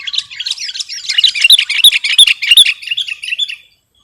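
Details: Dense, scratchy chattering and warbling from a sooty-headed bulbul, on a recording suited to luring or tutoring birds, runs almost continuously for over three seconds before stopping.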